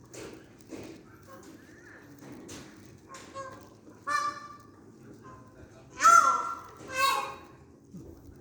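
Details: Indian peafowl at a forest temple in Surin in the evening, where a male fans his tail for several females: two loud, nasal, honking wails about a second apart, after a woman talking softly over faint music.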